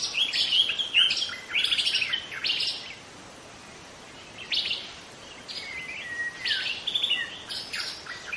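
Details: Young white-rumped shama in the wild forest: a busy flurry of high chirps and clipped whistles, a quiet gap of about a second, then renewed phrases with a few low sliding whistles.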